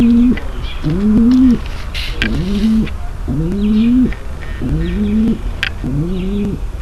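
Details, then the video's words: Mating call of a female pigeon meant to prepare males: six short, rising, humming coos about once a second, with background twittering and a brief rustle. "صوت نداء انثى الحمام للتزاوج - صوت لتجهيز ذكر الحمام للتزاوج"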